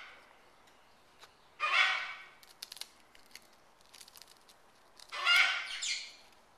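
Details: A pet military macaw eating a cracker with peanut butter gives two harsh, raspy squawks about three seconds apart, with dry crunching and clicking between them.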